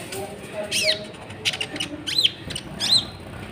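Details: Three arched, swooping notes at a brisk pace, each rising then falling, from a brown-throated sunbird song used as a lure for other birds, with thin faint ticks between.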